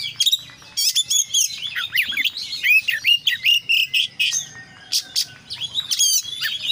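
An Oriental magpie-robin pours out a fast, unbroken run of high, varied phrases: sweet whistles, rising and falling slurs and scratchy chatter. It changes notes every second or so.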